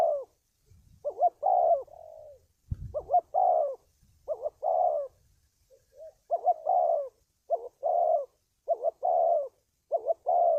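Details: Spotted dove cooing, used as a lure sound for trapping: repeated phrases of a short double hoot and a drawn-out descending coo, with one brief thump near the start and a short soft note midway.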